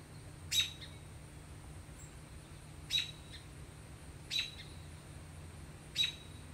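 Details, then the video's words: American robin in Canada giving four sharp, high, clipped notes, about one every one and a half seconds, over a steady low hum. "American Robin"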